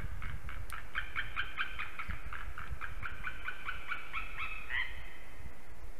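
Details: A white-tailed eagle at Slītere National Park, Latvia, calling a lot during a visit at 9:12 am on 16 December 2020: a rapid run of shrill yelping notes, about ten a second for five seconds, ending in a drawn-out cry over low wind rumble.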